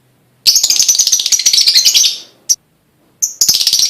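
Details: Prompting song of a lovebird, meant to set other lovebirds singing: a long run of rapid, shrill, rattling chatter, then a lone sharp chip and another fast chattering burst.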